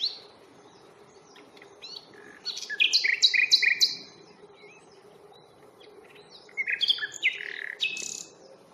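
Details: Common nightingale song during a spring reserve walk at Fingringhoe on 1 May: two bursts of rich, rapidly repeated and varied notes, with quiet gaps between, over a constant low hum.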